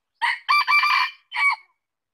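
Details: Single crow of a red junglefowl, broken into three parts: a brief first syllable, a drawn-out strained middle phrase and a short closing note, sharp and nasal, with no other sounds around it.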